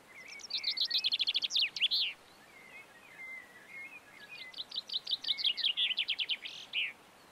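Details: Common chaffinch singing in the Montes de León, Spain, in March 2022: two bright song phrases, each a quick descending rattle of notes ending in a sharp flourish, repeated after a short pause.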